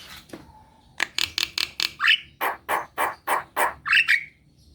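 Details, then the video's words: Harsh, grating notes from a busily singing Javan myna, used to prompt lazy captive birds: a quick volley of rasps, longer broad squawks spaced about three per second, and two squeaky whistled accents. "Pancingan jalak kebo malas bunyi | jalak kebo gacor"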